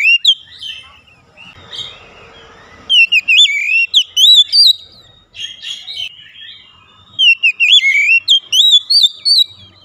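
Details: Oriental magpie-robin song played to coax reluctant, untrained birds into singing: bursts of bright, warbled whistles with rapid upward and downward slides, separated by a short buzzy rasping patch and brief quiet gaps.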